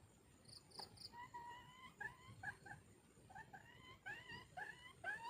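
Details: Red junglefowl hen calling to attract a mate: a run of clear, harmonic, slightly rising notes near one kilohertz, quickening toward the end, with faint high insect buzzes and a soft rural background.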